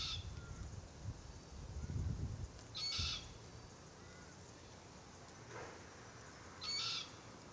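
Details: Forest Red-tailed Black-Cockatoos (Calyptorhynchus banksii naso), a threatened family group in a Marri tree; adults feed on green gumnuts while the immature calls incessantly. Two harsh, broad screeches a few seconds apart over low rumbling background.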